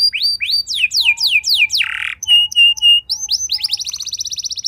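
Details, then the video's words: Canary song used to prompt other canaries to sing: repeated sweeping downslurs, a rasping buzz, flat whistled notes over a faint low tone, then a quick trill of rising notes. "Pancingan Ampuh Bikin Gacor Do0r Langsung Nyaut Burung Kenari Lain Segala Kondisi!"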